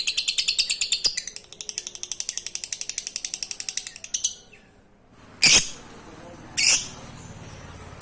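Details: Lovebird ngekek chatter meant to prompt silent lovebirds to sing: four seconds of rapid scratchy repeated notes, then silence broken by two short sharp bursts.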